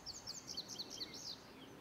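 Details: Northern flicker chicks calling for their parents at Arrowhead Lake, Orland Park, Illinois, on 18 June 2023; a quick series of thin, high chirping notes, several per second, fairly faint over low background noise.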